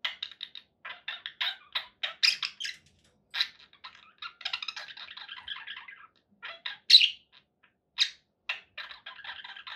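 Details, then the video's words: Indoor pet budgerigars chatter with rapid clicky chirps and a rattling warble, punctuated by a few louder sharp squawks. "budgie sounds"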